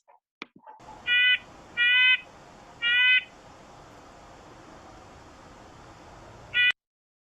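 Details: Red-breasted Nuthatch from the Seattle area giving its ordinary, non-angry "yank" call: four nasal, tinny notes like a tiny toy car horn, three in quick succession and one after a pause, over faint background hiss.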